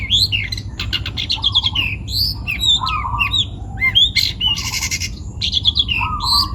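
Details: Young long-tailed shrike from the forest, Pati, Central Java, Indonesia, singing busily: quick scratchy notes, twisting whistles, lower chattered phrases and a loud rasping buzz near the middle, with a soft background rumble.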